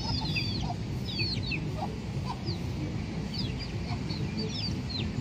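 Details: Free-range chickens in a park: high, thin, downslurred peeping notes come in loose runs over a heavy low rumble of outdoor noise.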